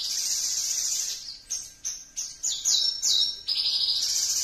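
A Javan bush lark sings high and bright: a long buzzy trill, then quick clipped notes and thin pure whistles that slide down, about two or three phrases a second.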